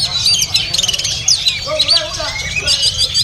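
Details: Caged oriental magpie-robin at a bird market singing a fast, varied run of high whistled and chattering notes, with squeaky slurs. Low murmuring voices and market hubbub sit underneath.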